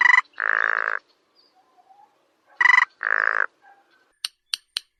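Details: A sparrow-sized rail of grassy meadows and wetlands, detected only by its varied voice: two pairs of harsh, harmonic squealing bursts, each a short note then a longer grunting squeal, followed by four sharp, evenly spaced tapping notes.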